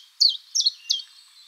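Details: Common chiffchaff mating song in spring woodland: three quick, high chipping notes, each dropping slightly in pitch, spaced about a third of a second apart, then silence.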